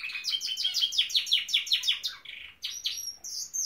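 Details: Norwich canary in full song, a rapid run of evenly repeated downward chirps about three per second, ending with sustained high whistled tones.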